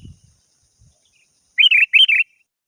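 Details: Calling a rival, a lively sooty-headed bulbul gives one quick phrase of four liquid, bubbly chirps in two pairs after a near-silent pause.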